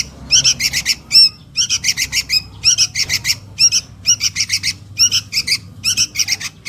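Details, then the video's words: Begging sooty-headed bulbul nestling calling its mother, played to lure adults: rhythmic clusters of three or four hoarse, scratchy rasps, repeated roughly every second without pause. "SUARA PIKAT // ANAK KUTILANG MEMANGGIL INDUKNYA"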